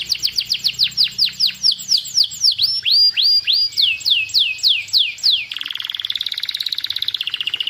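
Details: Masteran canary song played to coax young canaries into singing: a run of loud, clear downslurred whistles, about three a second, giving way to a fine, fast rattling trill.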